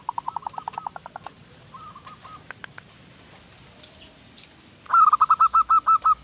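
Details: Zebra dove singing to lure wild birds: a few soft notes early, then a loud run of about ten short, evenly spaced cooing notes near the end, with faint chirps from other birds.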